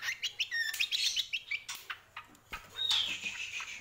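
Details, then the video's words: Greater green leafbird, called cucak kombo, singing quick chattering whistles and chips, followed by a long clear descending whistle; faint low background hum. "CUCAK KOMBO GACOR"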